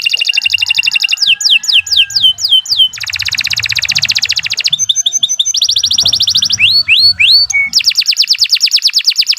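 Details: Long, non-stop canary song recorded as a tutor for other birds, changing quickly between dense rolling trills and runs of steep descending whistled notes, with a short low note near the end.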